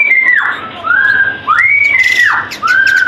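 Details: White-rumped shama, a kept bird, sings clear loud whistles: a falling note, a steady mid-pitched whistle, then the same pattern repeated, with a rough buzzy burst between.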